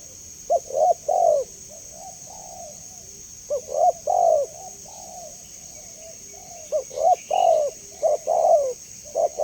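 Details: Repeated spotted dove call played to prompt other doves to answer: three-part phrases of short rising notes and a longer falling coo, trailed by softer coos, recurring about every three seconds over a faint steady hiss.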